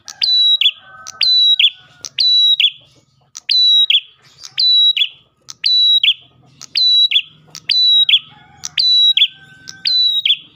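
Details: A prinia, also described as ash tailorbird song and used to lure other prinias, repeats a sharp, high, chirping phrase about once a second, each a quick run of bright notes ending in a falling flourish, over a faint low rumble.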